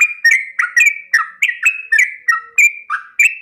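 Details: Sooty-headed bulbul delivering rapid 'ropel panjang' song meant for training caged birds: clear, slurred whistles falling and rising in pitch, packed at about three notes per second with no pauses.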